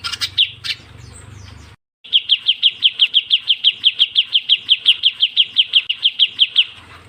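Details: Ciu kunyit bird calling as a lure: after a brief noisy start and a gap, a long, steady series of about twenty-five sharp, high chirps at a quick, even pace.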